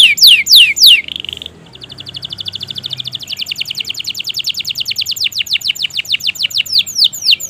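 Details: Canary singing a long, continuous lure song meant to stimulate reluctant canaries to sing: loud, rapid, downward-sweeping whistles give way to a fast, buzzy trill, then to evenly repeated descending notes about three per second.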